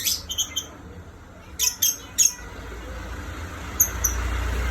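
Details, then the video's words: Lovebird whistles in scattered bursts: a few quick high chirps, a pause, then three sharper chirps and two faint thin notes, against a low rumbling background. "Love Bird nya bersiul terus"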